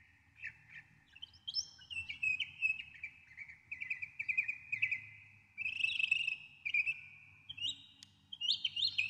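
A Northern mockingbird sings a steady run of varied, high chirps and whistles, each brief phrase repeated a few times before switching, over a faint low rumble.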